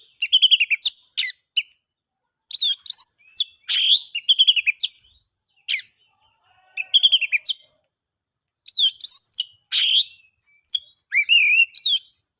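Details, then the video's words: Oriental magpie-robin singing loudly, used as a lure to get silent or stalled birds singing again; clean bursts of rich whistles, harsh buzzy notes and rapid chattering trills, high-pitched, in phrases separated by short pauses. "KICAUAN ASLI KACER NGEPLONG, paling ampuh di jadikan pancingan kacer macet & bisu jadi GACOR"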